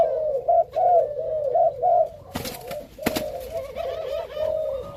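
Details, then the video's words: Captive breeding pair of Malaysian spotted doves, male and female; rolling coos in the first two seconds, then softer cooing broken by two sharp knocks. "Cugaymalaisia, Ghép lạI cặp giống : Trống JAADS với mái chiêu gù di chuyển F1"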